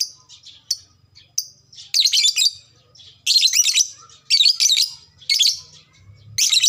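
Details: Lovebird kept as a fighter bird: a few thin sharp chirps, then loud bursts of harsh, scratchy high chatter, each under a second, coming in quick succession.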